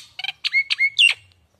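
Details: Nias hill myna, pancingan lure sound for prompting a young untrained bird to sing. A few clipped harsh notes lead into a clear level whistle and end in one loud, rasping downward squawk.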